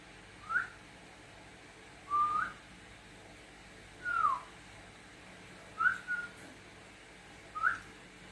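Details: Domestic cockatiel whistling back and forth with its owner indoors: five brief clean whistles, some rising, one falling, one flat, spaced roughly one and a half seconds apart over a soft background hiss.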